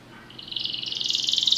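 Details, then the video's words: Belgian canary singing during song training: a short phrase of rapid buzzy trilled notes that climbs slightly in pitch and grows steadily louder. "canário belga cantando mais espectacular! treinamento canario belga"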